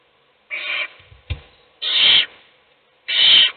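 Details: Owl in a nest box feeding a chick while the other chicks sleep; three loud, breathy rasping hisses about a second and a quarter apart, a sharp knock and rustling after the first.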